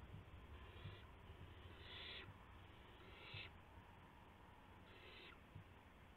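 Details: Owl calling at 12:25 AM on April 7, 2016, during delivery of a gopher with flapping and pouncing; four harsh, noisy hissing bursts, each about half a second long, come at uneven intervals over low background rumble and clicks.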